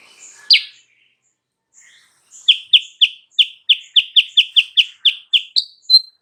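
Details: Sooty-headed bulbul song used as a lure to make a rival answer: one loud opening chirp, a pause, then a quick string of about thirteen bright, falling chirps ending in a higher note.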